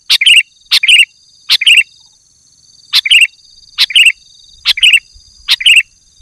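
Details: Afternoon calling by a male sooty-headed bulbul challenging a rival, seven bright bubbly phrases, each a sharp click followed by a lilting warbled note, repeated roughly every second with short gaps; a thin steady high tone runs underneath.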